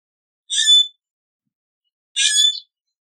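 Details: Common grackle singing: two short squeaky, metallic bursts about 1.7 seconds apart, each a tight cluster of high creaking notes with a brief lower squeak beneath, on a silent background.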